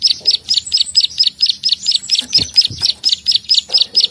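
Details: Paddyfield prinia (prenjak sawah) giving a fast, even series of sharp, high "klik" clicking chips, about four each second, with a faint low rumble underneath; a strongly singing fighter bird suited as a tutor recording for songbirds.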